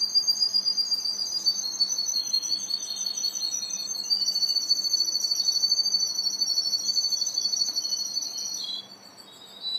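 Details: Russian or Ukrainian canary just beginning to sing: a continuous high, thin trilled song of sustained rolling notes with overtones, held steadily for about nine seconds before stopping abruptly, with a faint low hum underneath.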